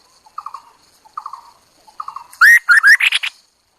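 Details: Chinese hwamei decoy bird: quiet triple-note chatter repeated three times, then a sudden loud phrase of rising, ringing whistles and rough trilled notes.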